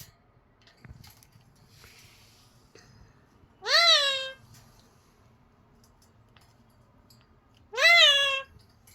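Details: A talking parrot says "bye" twice, about four seconds apart. Each utterance is a short, bright, harmonic note that swoops up and then falls. Faint indoor rustles and knocks can be heard between the words.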